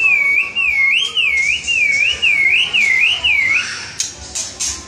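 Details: White-rumped shama, a lively singing bird, gives a clear whistled phrase of looping rising-and-falling notes, about eight smooth wavering loops in a row, followed by a few higher sharp notes.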